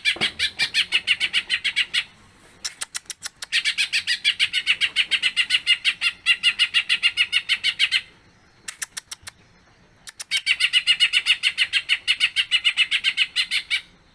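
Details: Greater green leafbird singing for a long time with borrowed phrases. Three long bouts of rapid scratchy chatter are repeated several times a second, with short gaps between them filled by clicks.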